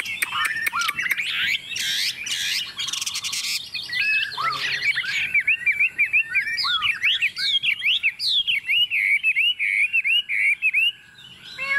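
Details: Tame Chinese hwamei set on a table, singing confidently: loud varied song of rich whistled phrases, sweeping slurred notes and rapid chattering bursts, with buzzy rasping passages early on.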